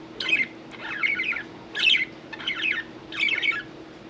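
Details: Caged budgerigars at bath time make five raspy, warbled squawks, each about half a second long, separated by short pauses.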